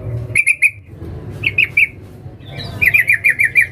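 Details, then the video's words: A female sooty-headed bulbul calling a male: a trio of crisp notes, a pause, three fuller chirps, then a rapid run of six sharp notes, over quiet low background noise. "Trucuk BETINA Memanggil Jantan NGALAS TAJAM Suara TERCEPAT utk PANCINGAN"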